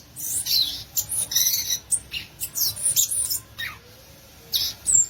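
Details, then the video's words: Violaceous euphonia, called gaturamo verdadeiro or guriatã, delivering a string of short, very high, sharp chips and squeaky notes in quick bursts with brief pauses between phrases. "Belíssimo Canto do Gaturamo Verdadeiro, ou Guriatã"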